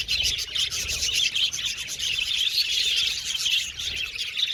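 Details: Budgies chirping together in a dense, continuous chorus of high tweets, short whistles and scratchy chatter, overlapping without pause throughout, with faint low rumbling underneath.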